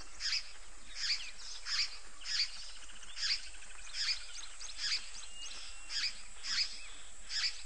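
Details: Water Thick-knee, grooming at Idube on 31 December 2012, giving a steady series of about ten high, thin piping whistles, one every three-quarters of a second, over a soft outdoor background hiss.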